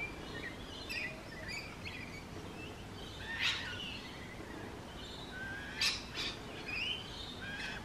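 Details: Rainbow lorikeet, a common urban bird of eastern Australia, giving brief, shrill, harsh screeches at irregular intervals, a few with a quick rising slur, over a steady background hiss.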